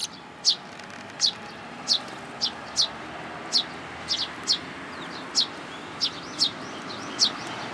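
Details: Fledgling sparrow begging for food in a plum tree at a Tenmangu shrine, June 2022; a steady run of about twelve thin, high descending chirps, roughly every half second to second, with soft hiss behind.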